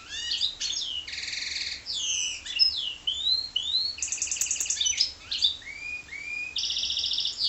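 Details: Goldfinch × canary hybrid in continuous song, mixing rapid high rattling trills, rising whistled slurs and twittering chirps in a varied, unbroken flow.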